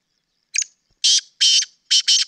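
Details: Sindhi black francolin call: a brief thin note, then four loud, scratchy notes in a rhythmic phrase, the final pair closely joined.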